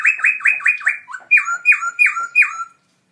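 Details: Caged black-throated laughingthrush, a gold award winner at a birdsong contest in October 2016, singing very loudly: a fast series of about ten loud, ringing whistled notes, each sliding downward, delivered roughly four per second with a brief break midway.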